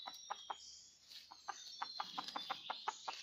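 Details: Wild red junglefowl in rocky mountains, recorded while trapping on 17 March 2019. Abrupt, clipped clucks come in a loose, quickening series, roughly every fifth of a second toward the end, against a constant shrill insect or bird chorus.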